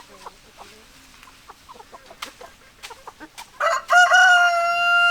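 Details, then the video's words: Chickens, hens and a rooster: a run of short soft clucks, then a loud rooster crow with a stepped, drawn-out cock-a-doodle-doo ending on a long held note. "Chicken Sounds Noises Hens Clucking Roosters Crowing"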